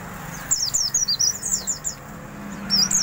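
A white-eye gives a fast, very high twittering song of thin, sliding chirps in two bursts, with a faint low hum underneath.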